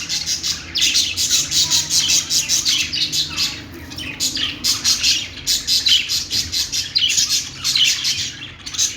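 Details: Budgerigars, also called parakeets or Australian parrots, chirping in a dense, continuous chatter of high, scratchy warbles and squeaks with short pauses, several birds calling over one another.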